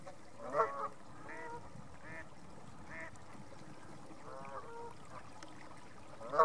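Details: Distant vocal geese at North Third reservoir near Stirling call repeatedly in a chorus of soft, nasal honks, with a louder honk near the start and another at the end.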